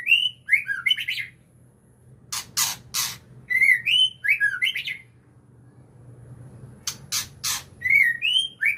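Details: White-rumped shama giving short phrases of rich, fluty whistled notes with quick slurs, repeated after pauses, alternating with loud harsh broadband bursts.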